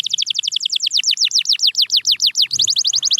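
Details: Domestic canary repeating fast downward-sweeping whistled notes, about eight per second, for two and a half seconds, switching to a quicker, tighter roll of similar notes.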